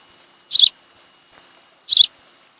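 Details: Osprey at its nest on Kent Island, Maryland, recorded by a nest camera on 26 July 2018, afternoon; two piercing whistled chirps about one and a half seconds apart, with a faint steady hum behind.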